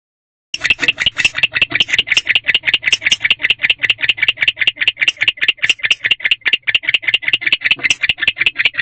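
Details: Male barn owl in a nest box at about 4 am on 20 February 2023, chirping and calling after entering the box while the female stays in another box. Fast, even train of short raspy clicks, roughly two or three per second, steady throughout.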